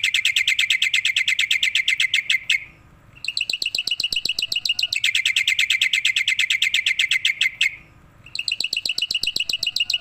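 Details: Black-winged myna, a tame bird, bobbing its head as it sings energetically: rapid strings of ringing, harmonic chips, two bursts of several seconds each broken by brief silences and softer ticking notes.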